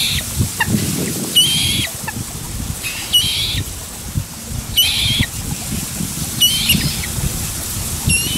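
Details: Well-grown common moorhen young, two of them, calling often to their parents when straying from the nest; five thin, high squeaky notes spaced one to two seconds apart, with a low murmur of background noise beneath.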